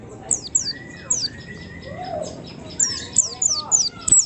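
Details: White-eye lure song: spaced sharp, high downslurred chirps building into a busier twitter at the end, with softer, lower drawn-out whistles in between.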